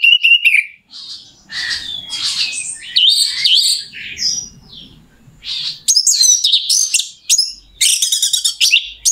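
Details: Lure recording of an orange-headed thrush meant to make another bird sing quickly: a rich medley of high chirps, slurred whistles and buzzy phrases, ending with a dense rattling trill.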